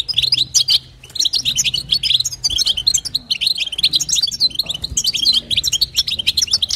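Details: European goldfinch female calling to excite a male, local bitbita and sitsita call types: bursts of fast high twittering broken by brief pauses near one, two and a half and five seconds, with light hum below.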